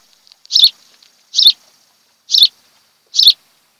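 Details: Osprey pair at their nest on Kent Island, Maryland, filmed by a nest camera on 26 July 2018 in the early afternoon; four short, sharp, high chirps, evenly spaced roughly one second apart, with silence between.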